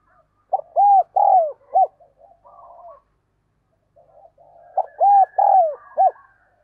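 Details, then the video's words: Calling decoy spotted dove luring wild birds, the urging 'gáy thúc' style: two loud phrases of three deep hollow coos, the third clipped, each trailed by quieter rolling coos. "Chim Cu Gáy Thúc, Chiêu Bổi Nhanh Về Cội - Chim Cu Mồi"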